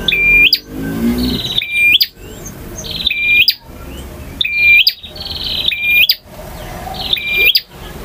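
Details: Long, varied song of a male bar-winged prinia in ngotot, ngalun and kristal styles: bright buzzy note trains with clear whistled flat notes, about every 1.3 seconds, separated by sudden quiet breaks over faint low hum.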